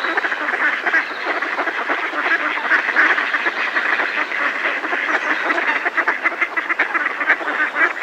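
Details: A flock of Mallards in a decoy gives a dense, unbroken chorus of harsh, rapid alarm quacks, many birds calling over one another; a coot close by and a distant robin also heard.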